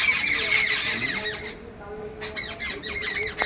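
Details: Babblers in an angry mood give harsh, chattering squawks in rapid bursts, several birds overlapping, with a short pause before the noisy calling resumes.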